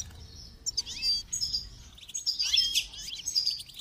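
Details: Song-training recording of a goldfinch: tinkling high chirps, whistled slurs and liquid trills in quick succession, mostly steady in volume, with a faint rumble underneath.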